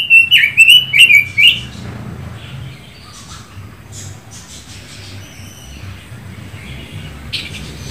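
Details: Red-billed leiothrix (Pekin robin, Leiothrix lutea), a bird from China now becoming rare in Indonesia, sings a quick, fluty warbled phrase of rising and falling notes for about 1.5 seconds, then faint scattered chirps over a low hum.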